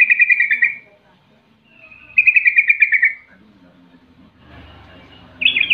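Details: Rival-provoking 'rol' song of a sooty-headed bulbul: two pulsed rolling trills under a second long with a gap between, then a rougher, noisier stretch before a final trill starts.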